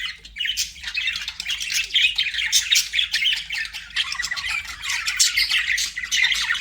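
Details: Chattering budgerigars in captivity, a busy scratchy warble of chirps and buzzy squawks running without break, with a short downward whistle near the end.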